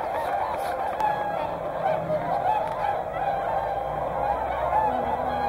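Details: Whooper swans with tundra swans at Hyoko in Niigata produce a massed, ceaseless honking. Overlapping bugle-like calls waver up and down, with a few clearer single notes over the din.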